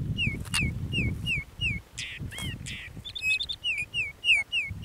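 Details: Oriental magpie-robin at a trapping site: a series of repeated slurred whistles, rising then falling, about every half second, broken by harsher buzzy notes and a brief chattering burst, over low rumbling noise.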